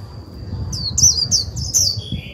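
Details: Lure Japanese white-eye singing líu to provoke rival birds: a short sequence of sharp, high, slurred twitters, a lower buzzy note at the end, a constant thin tone and faint low rumble underneath.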